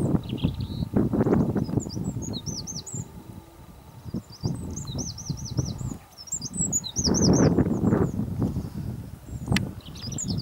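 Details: A Eurasian (winter) wren singing on Texel, Holland, on 13 November 2011 gives bursts of high, fast, rattling trills, each about a second long, over a steady low rumble of wind and distant traffic.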